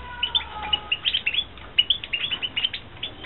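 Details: Breeding European goldfinches in captivity, 2016, twitter continuously with quick, bright chirping notes repeated several times a second, over a faint steady tone and background hum.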